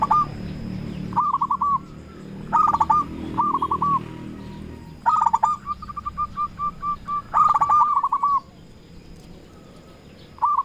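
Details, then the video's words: Local zebra dove, a lure bird calling rivals, giving quick bursts of clipped, stuttering coos in short phrases separated by brief pauses, with a low background rumble. "Perkutut lokal gacor RAJA PIKAT memanggil lawan sekali dengar bikin semua perkutut nyaut"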